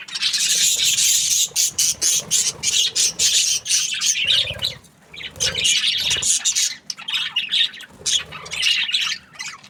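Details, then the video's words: Several budgies in breeding season produce steady loud chattering: fast, repeated high chirps packed closely, broken by a few short pauses and some low thumps. "Happy budgies chirping sounds | breeding season"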